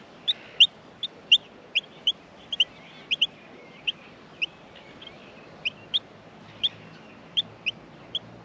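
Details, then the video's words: A steady run of thin, high chirps from Australian miner chicks in the nest during feeding, coming in uneven bursts and pairs with faint softer twittering between them. "Australian Minor baby birds in the nest feeding"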